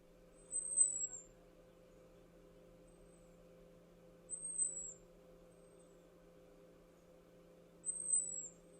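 American robin giving three thin, very high, slightly falling whistled alarm notes, roughly every three and a half seconds, over a steady low mechanical hum.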